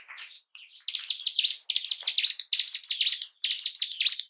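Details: Caged-bird lure of bar-winged prinia (ciblek gunung) song for stirring breeding and aggression: loud rapid sequences of sharp descending buzzy notes in three or four phrases with brief gaps.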